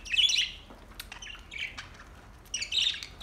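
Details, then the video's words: Budgie song recorded August 4, 2023: a loud burst of buzzy, scratchy warbling, softer chirps, then another raspy warbled phrase at the end. "Beautiful budgies relaxing song beautiful sinning and sound"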